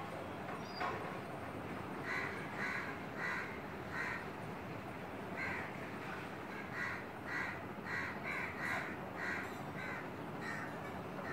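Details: Female Asian koel perched very close on a curry-leaf tree branch beside a window. Harsh, clipped notes are repeated in loose runs about every half second, with a steady background hiss throughout.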